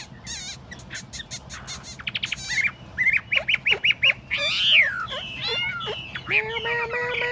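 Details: Chinese hwamei, tamed and kept in a table-top cage, delivers rapid clicks and chatter, then repeated rising whistles, a loud swooping phrase and a final lower harmonic buzz.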